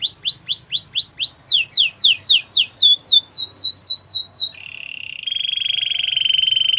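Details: Canary singing a training song: about six bouncy arched whistles, then a dozen quick downward-slurred notes, then a prolonged buzzy rolling trill.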